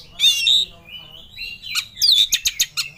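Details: Oriental magpie-robin in an emotional rival-seeking display gives a rich warbled phrase, a sliding whistle, then a quick run of sharp staccato clicks and chips, over a low hum.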